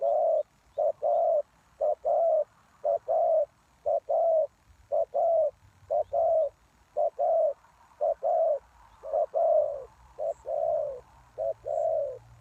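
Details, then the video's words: Spotted dove used as a decoy to attract wild doves, cooing persistently: about ten low phrases in steady rhythm, each a short note followed by a longer coo, with faint low background rumble. "Suara Tekukur Pikat"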